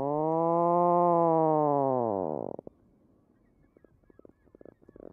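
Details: Atlantic puffin (Fratercula arctica) gives the low, chainsaw-like "arr" growl typical of the nesting colony: one long droning growl over two seconds, falling in pitch at the end, then faint clicks and rustles.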